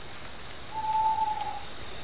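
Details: Mantanani scops owl calling at night on Mantanani Island near Kota Belud: one drawn-out, hollow, steady-pitched hoot lasting under a second, over continuous high insect trilling.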